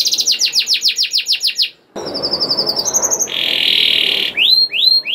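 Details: Canary song meant to encourage silent canaries to sing: quick repeated descending chips, a brief break, a rattling trill, a steady buzzy tone, then rising whistled sweeps.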